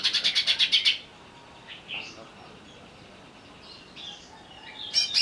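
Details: Agitated greater green leafbird song used as a lure: an opening rapid series of about eight loud pulsed notes, then soft scattered whistles and a brief sharp burst at the end.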